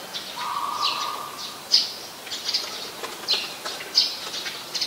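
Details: Brown-throated sunbird recorded in Ubon Ratchathani, Thailand, on 13 January 2021 with a Nikon P1000: sharp, high chipping notes repeated irregularly, about one every two seconds, with a steady lower whistled tone early on.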